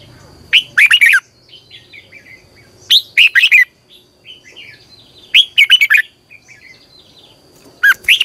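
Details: Red-whiskered bulbul competition song used as a decoy for morning training. Loud warbling phrases of slurred, bubbling whistles, repeated about every two and a half seconds, with soft chirps in between and a thin steady high tone behind.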